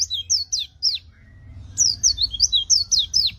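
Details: Energetic white-eye song meant to stimulate and train reluctant singing white-eyes: high, piercing whistled slurs, mostly descending, delivered in two quick bursts separated by a brief gap of about a second.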